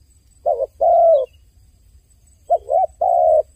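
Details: Two crying phrases from a dove, each a quavering note and then a long even coo, separated by about a second of near silence.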